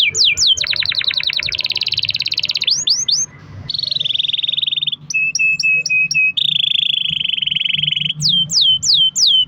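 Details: A canary delivers long rolling phrases meant to coax other canaries into song: quick falling whistles, a dense trill, a flat buzzing roll, then clipped repeated notes and more downward sweeps.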